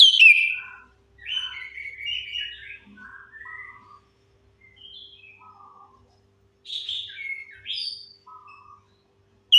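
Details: Chestnut-capped thrush song as a lure for birds that have stopped singing: a strong opening note, then scattered soft warbled and whistled fragments with pauses, another louder cluster later.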